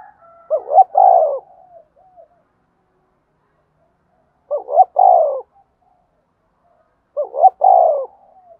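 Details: Spotted dove in a fighting and calling bout: three separate bursts of low, rolling coos, each a quick stuttered pair of hoots followed by a longer drawn note, spaced about three to four seconds apart in silence.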